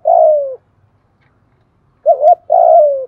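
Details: Spotted dove lure song in the 'thổ' voice style, used daily to provoke and train newly caught birds to sing: a long, low, smooth coo that slides downward, then after a pause a wavering two-part coo followed by another long falling coo, in silence.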